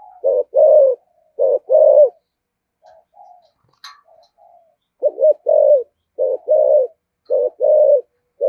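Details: Spotted dove cooing in the 'giọng thổ' 'thúc gù' manner: low, soft two-part coos in bursts, with a short break of faint murmurs and a click before the doubled coos resume.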